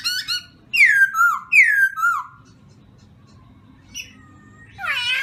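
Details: Black-throated laughingthrush voice training at morning: two short notes, then two loud descending slurred whistles, followed by near silence and a final burst of harsh, rich notes.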